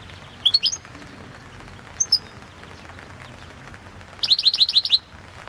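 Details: Competition song of a Balkan goldfinch, Carduelis carduelis balcanica, entered in the 2022 world championship: a brief tinkling cluster, a lone high note, then a fast run of bright repeated chirps near the end.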